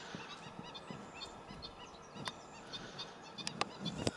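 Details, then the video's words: Young black-winged stilts at Arucas, Gran Canaria, 28 June 2018, giving brief high chirps in an uneven series, with a louder burst of sharp notes near the end over low background rumble. "Crias de Cigueñuela común...........Himantopus himantopus"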